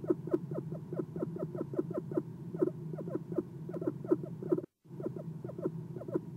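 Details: Soft chirps from an Eastern screech owl perched at its nest box in the early morning darkness, 6 November 2016, picked up by a nest cam; low, quick pulsed notes in a steady series, broken by one short silent gap.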